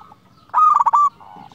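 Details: Single rolling coo phrase from a local zebra dove used to call rivals: about half a second of fast, throbbing notes on a steady pitch, then a softer, lower murmured coo.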